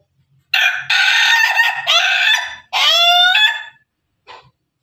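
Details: Loud crowing from Pelung and Ketawa laughing chickens: three long, rough segments over about three seconds, the last one wavering and rising, then one short cluck after a pause.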